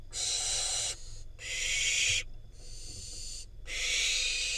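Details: Wild Israeli barn owl fledgling getting a rodent from its parents; four long, breathy, rasping hisses, each just under a second, separated by short pauses.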